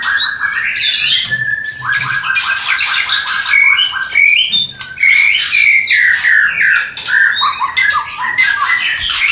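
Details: Breeding-arousal call of a White-rumped shama, new pair not yet producing: rapid series of repeated clipped notes, then a brief pause and a varied stretch of sweet whistles and trills delivered continuously.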